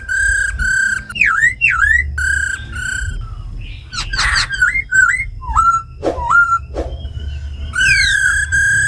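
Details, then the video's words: Forest-style singing from a tame caged laughingthrush alongside a female's ro khẹt calls, meant to stimulate wild-caught birds. Held whistles alternate with V-shaped swooping notes, a harsh burst midway, and scattered clicks. "Tiếng chim khướu mái ro khẹt + khướu mun thuần hót giọng rừng"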